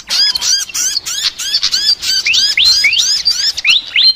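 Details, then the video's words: Sikatan flycatcher chattering song described as unusual: a fast, slightly harsh string of bent whistles and squeaky notes repeated around three per second, with rising hooked notes toward the end. "BURUNG SIKATAN NGOCEH TER UNIKK"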